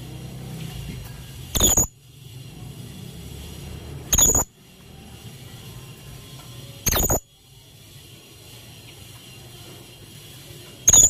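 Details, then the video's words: Blue-crowned hanging parrot lure call, meant to draw a reply: four very short, sharp, high-pitched squeaky notes spaced about two to three seconds apart over a low, steady background hum. "pancingan burung serindit gacor"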